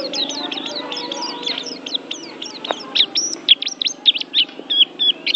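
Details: White-eye song: a fast run of thin, high chirps and short sliding whistles, growing louder and more spaced toward the end, over a steady low hum.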